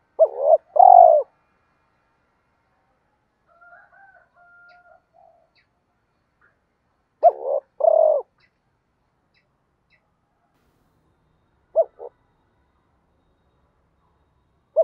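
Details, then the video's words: Spotted doves, cock and hen, cooing to spur other doves into calling: low two-note coo phrases at the start and near eight seconds, with faint soft whistles between and brief single coos later. "giọng chim cu gáy thúc gù dồn ép bổi lười gáy ức chế phải gáy theo"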